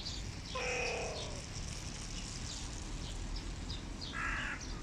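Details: An adult male hooded crow, indignant at a rival crow, gives two harsh, drawn-out caws about three seconds apart, the first rasping and downslurred, over a steady low rumble.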